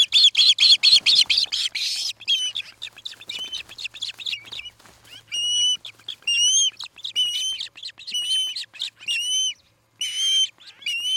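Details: Osprey at a nest in Charlo, Montana, on an August evening, recorded by a nest camera: a rough, buzzy chattering burst gives way to spaced, upslurred whistled chirps, with faint low rumble beneath.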